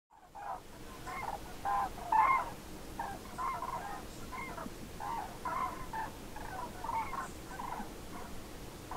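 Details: Passing flocks of common cranes on autumn post-breeding migration, the first of the season, 27 October 2017, Nouvelle-Aquitaine, France: loud, rolling trumpeted calls, many birds overlapping in bursts about every second, over a low background hum.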